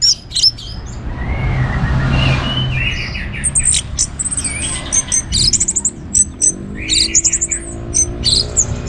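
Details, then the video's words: Orange-headed thrush song used to spur other birds into song: soft warbles under a noisy broadband wash, then quick series of high sharp clipped notes repeated several times. "ANIS MERAH Gacor Untuk Memancing Burung Jadi NGeplong Bahkan Teler"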